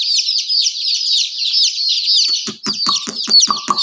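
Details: Baby chickens give a crowded run of high, quick, falling peeps, joined in the second half by a series of sharp, evenly spaced knocks.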